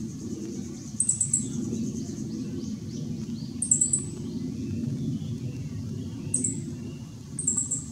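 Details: Meadow bunting in backlit dim shade, 2 July 2016: four short, very high chattering bursts repeated every few seconds, faint softer bird notes between them, over a continuous low background hum.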